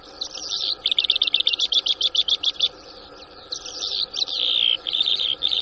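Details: A newly trapped Bimaculated Lark, recorded 6 March 2024 at Shamani, Lakki Marwat, gives a fast run of about a dozen dry, rattling chirps, then a pause and a burst of twittering, scratchy notes with a down-slurred whistle.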